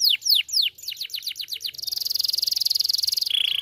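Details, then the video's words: Canary singing energetically: a run of sharp downward-sweeping whistled notes, then a fast buzzy trill held steady for over a second, ending on a lower rattling trill. "Kenari gacor ngotot ampuh pancing emosi kenari diam gacor lagi"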